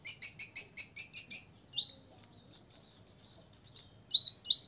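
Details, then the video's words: Rival-provoking ngobra song from a six-year-old olive-backed sunbird: a rapid rattle of shrill chips, a lower whistled slur, another quick chip series, then two short whistles. "kolibri ninja ngobra 100% bikin lawan EMOSI"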